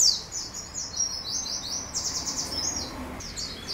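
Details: Long-singing canary, recorded as a training song for other birds: a continuous stream of very high, fast sliding notes and short trilled phrases over a faint low background hum.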